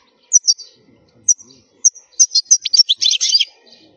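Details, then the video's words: Loud khalwi-style wild goldfinch song for tutoring young birds: a few separate bright high chirps, then an accelerating run of tinkling, twittering notes mixed with buzzy rattles. "الحسون الخلوي تغريد قوي صوت عالي خـــــــالي من الاخطاء"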